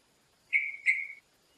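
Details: Yellow-vented Bulbul foraging among tree branches with others of its kind in forest: two bright whistled notes in quick succession, the second trailing off, over soft background hiss.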